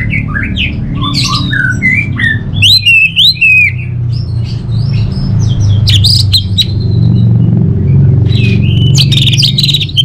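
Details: Orange-headed thrush in continuous varied song of chirps, whistles and short trills, some phrases sliding up and down, accompanied by prominent low rumbling hum.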